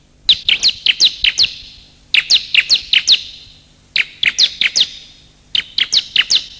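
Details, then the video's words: Bar-winged prinia lure calls from male and female birds: four short bursts, each of five or six quick, sharp chirps, spaced roughly every two seconds. "Suara Pikat Burung Kecil Paling Ampuh || pikat suara burung ciblek"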